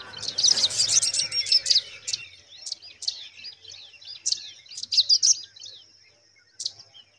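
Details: Nestling pipits start with a dense flurry of high, twittering chirps that then thins into scattered sharp squeaks. A faint high whine sounds throughout.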